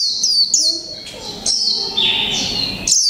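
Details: Japanese white-eye in a cage, a 'mộc tinh' bird of one month, singing 'líu pha chòe trống': two quick high slurred notes, then a long, continuous, wavering high-pitched warble.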